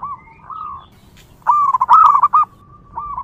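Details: Wild local zebra dove singing vigorously, used to lure other zebra doves: a soft drawn-out coo, then a loud, rapid stuttering series of mellow notes, ending with a quieter coo.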